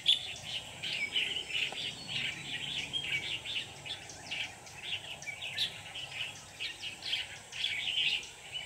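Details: Red-whiskered bulbul decoy singing during trapping on 24/11/2018 to lure wild birds toward a trap: dense runs of short bright chirps and warbled notes, nearly continuous, over steady background hiss.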